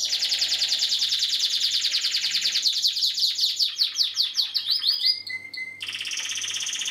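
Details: Spanish Timbrado canary song recorded in 2016: long fast rattling trills of rapid high notes, shifting and slowing into separate repeated elements, then a steady thin whistle before a renewed buzzy trill; low electrical hum beneath.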